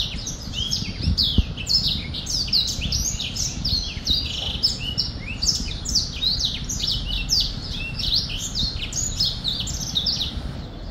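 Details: Long, busy bout of black-throated finch song: continuous high chattering chirps and quick slurred notes with hardly a gap, a couple of soft thumps early on, low hum underneath throughout.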